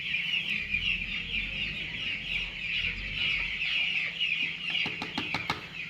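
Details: A dense, unbroken chorus of high peeping from many 9-day-old broiler chicks on a poultry farm, over a low steady machine hum and a few sharp clicks near the end.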